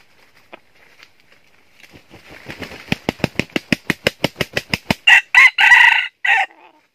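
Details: Decoy red junglefowl used to lure wild junglefowl into a trap in northern Vietnam. Rapid wing claps speed up into a drumming burst, then a short, hoarse, broken crow of three or four harsh syllables follows.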